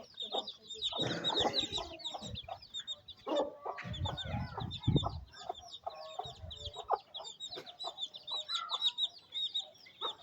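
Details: Mother hen feeding her chicks on a rainy day in a village in Pakistan; low clucks in bursts mixed with dense, high peeping of many chicks throughout, plus low thumping and handling noises.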